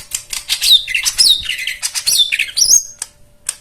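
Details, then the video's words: Continuous white-eye warbling offered as a song lure for silent birds: tumbling, overlapping high whistles rising and falling, with fluttery chatter throughout. "Spesial Untuk Jomin dan Macet Bunyi Isian Mewah"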